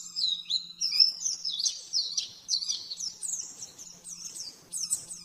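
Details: Caged-bird training master of the oriental white-eye, nembak-nembak style: sharp, high chirps fire in rapid succession, some notes swooping down and up again, over a quiet constant low hum.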